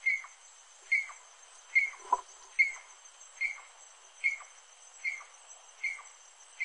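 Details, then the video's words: Rufous-necked wood rail, also called saracura-do-mangue, giving a steady series of short sharp notes with a quick downward tail, about one every 0.8 seconds, against a faint high steady hiss. "CANTO DA SARACURA-DO-MANGUE"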